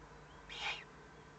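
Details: Threatened owlets giving a warning on 22 May 2015 at 20:42 in the evening; a single short, harsh, breathy burst lasting about a third of a second, rising and fading over faint steady background hum.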